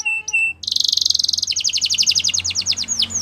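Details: Spanish Timbrado canary singing: a few clear whistled tones, then a rapid bell-like trill that slows into distinct descending notes.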